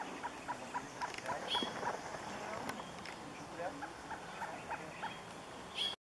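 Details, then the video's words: Surucua trogon giving runs of quick, repeated mellow notes, one burst in the opening two seconds and a shorter one later, with faint higher chirps and steady background hiss. "surucua variado"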